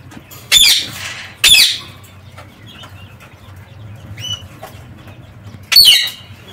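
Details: Two loud harsh parakeet screeches early, a short whistled note midway, then another rasping squawk, from birds kept in an aviary with quiet background between calls.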